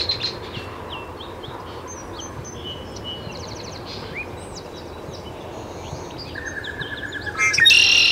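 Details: Great-tailed grackle recorded at Taos, New Mexico, 17 June 2017: a scatter of faint high chips, clicks and short whistles, a level buzzy note near the end, and a louder harsh burst closing the sequence.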